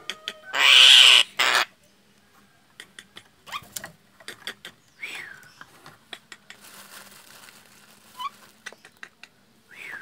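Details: Frightened Nias hill myna call, used as a lure to attract birds: one loud, harsh, broadband screech lasting about a second near the start, then scattered dry clicks and a few short, rising whistled notes.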